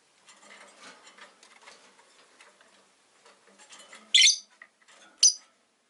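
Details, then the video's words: Quiet chattering and rustling from caged pet rosy-faced lovebirds by a window build to two loud, harsh chirps about a second apart. "Lovebird Chirping Sounds"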